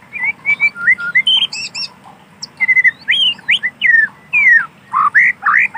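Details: Song of a wild white-rumped shama in natural forest: loud, rich whistles in changing phrases, with rising and falling slurs. A short pause comes midway, then a quick series of sweeping notes.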